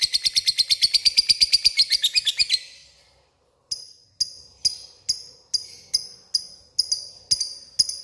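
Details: Lovebird calling a rival: about two and a half seconds of rapid shrill chatter fade out, then after a short silence come sharp, thin, ticking notes, the ngetik style, at an irregular pace.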